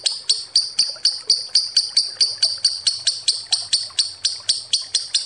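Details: Lovebird trilling in the long ngekek style used as a lure, with crisp high pulses repeated about four times a second, each sharp at the start and fading quickly.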